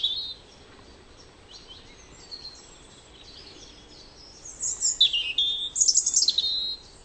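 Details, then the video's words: A European robin in a garden sings a high, thin, wavering phrase of sweet trills and sliding notes, quiet at first, then louder and more tumbling toward the end. "Rotkehlchen - Erithacus Rubecula - European Robin"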